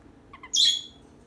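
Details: A pair of pet birds, one female and one male: after two soft short chirps, a single loud harsh squawk lasting about a third of a second, high and rasping, then quiet.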